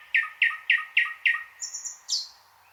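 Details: Five loud, evenly repeated chock notes, each with a short lower tail, from a thrush nightingale, followed by a thin high whistle and a final piercing note.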